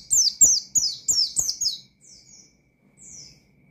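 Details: Oriental white-eye singing ngalas, nembak style to provoke rival birds: a fast string of five or six high, falling chirps, then two fainter trailing notes after a pause.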